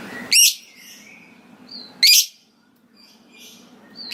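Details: Lovebird giving two harsh loud screeches about one and a half seconds apart, with soft squeaky chirps between; steady low hum behind.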